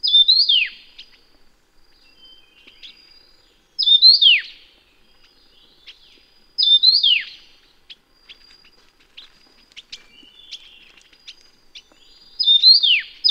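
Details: A Taiwan Yuhina, a bird endemic to Taiwan's mountains, gives four bright, high phrases, each a quick upward note falling into a slurred whistle, spaced about three seconds apart, with faint ticks between.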